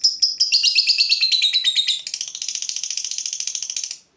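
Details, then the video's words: Long "ngekek" of a fighter lovebird stirred up by a rival bird: rapid high rattling trill, loud at the start, pitch sliding slightly downward, then a steady fast chatter that stops abruptly. "Lovebird FIGHTER terpancing Panas, nyaut Ngetik lanjut Ngekek Panjang"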